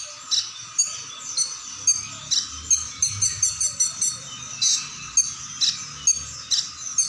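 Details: Brown-breasted ninja sunbird singing in a lively, varied style: high, sharp chirps repeated irregularly a little over twice per second, each a brief bright note over a steady hiss.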